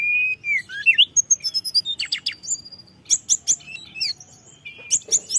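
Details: A white-browed shortwing's lure recording, full of fills, offers slurred whistles, quick buzzy trills in groups of three, and high chirps trailing off.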